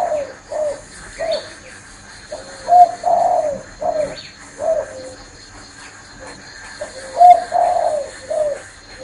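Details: Spotted dove perched on a person's hand and still cooing: soft, low hooting coos in short phrases, repeated in two groups with brief pauses between them, in a quiet indoor setting.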